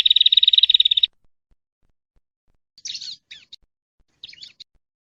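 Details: Prinia, called perenjak, in a tutoring recording for songbirds: a one-second rapid high trill, then silence broken by two short bursts of scratchy, twittering high notes.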